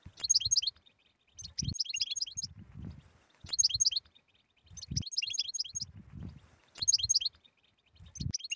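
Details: Goldfinch batbata song meant to stimulate a mute goldfinch. Bright, rapid twittering phrases recur roughly every second and a half, interleaved with low knocking and rumbling sounds.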